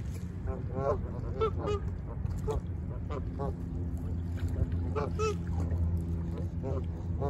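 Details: Flock of Canada geese honking steadily on the Lake Ontario shore at Humber Bay Park, Toronto, in autumn; dense, repeated nasal honks from several birds, often in quick doubles, above a continuous low rumble of wind and waves.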